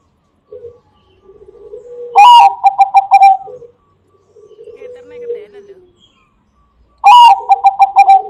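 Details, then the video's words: Singing zebra dove of the Bangkok perkutut type, a lure for other doves: quiet low coos lead into loud phrases of a rising note plus about five staccato coos, repeated roughly every five seconds. "Bunyi burung perkutut bangkok cocok untuk pancingan bunyi burung perkutut"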